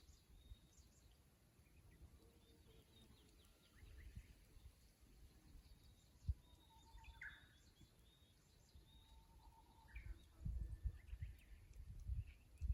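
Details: Japanese bush warbler in song beside the Kusu tank road, Japan, filmed by a fixed camera on 24 April 2025: plain whistled notes each ending in a bright, quick flourish, repeated twice, with deep rumbling noise and faint other birds.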